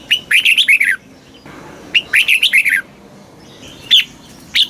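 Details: Red-whiskered bulbul song from Thailand in the southern master style, played to stimulate caged birds and teach young birds: two bursts of about six quick, bright warbled notes, each under a second, followed by two lone sharp notes.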